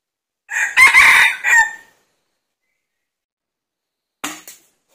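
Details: Junglefowl luring with a decoy; a red junglefowl gives one clipped, raspy crow of three quick segments, followed after a pause by a brief rustling knock.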